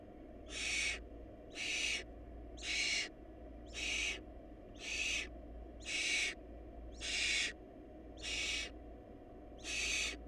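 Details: In a barn owl nest short of food, nestlings give a regular string of breathy, rasping hisses. Nine bursts fall about once a second at steady loudness over a humming background.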